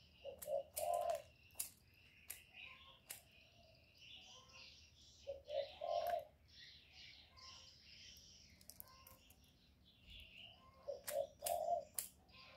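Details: Spotted dove used as a decoy to excite wild doves, repeating its deep three-note coo about every five seconds, short-short-long, amid steady background birdsong and sharp clicks.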